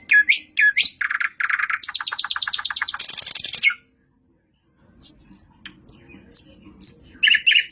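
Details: A nightingale sings a rich phrase: two rising notes, a fast even trill of repeated pulses, and a harsh buzzy stretch. After a brief silence come scattered high pure whistles and a final chattering burst.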